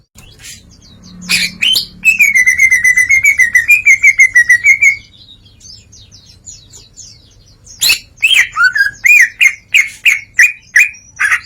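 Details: Greater green leafbird delivering open 'ngeplong' song showing its repertoire: a long fast trill of wavering whistled notes lasting about three seconds, then a run of loud repeated slurred chirps, with soft high twitters between.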